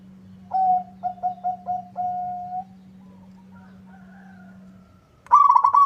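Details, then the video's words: Local zebra dove answering a rival. A stuttering series of short cooing notes ends in a long level tone. A louder, rapid, trilled coo bursts in at the end, all over a steady low electrical hum. "Suara perkutut lokal gacor bikin nyaut lawan."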